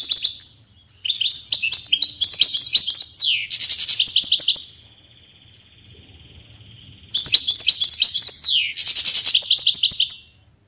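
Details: Portuguese goldfinch singing two long bursts of fast, jangling twitters and buzzy rattles, with a faint steady high tone and quiet gap of about two seconds between them.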